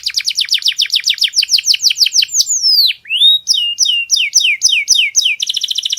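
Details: Masteran recording of a canary with a very clear voice: rapid repeated falling notes, a long gliding whistled slide downward, then spaced sharp bent notes ending in a fast buzzy high roll.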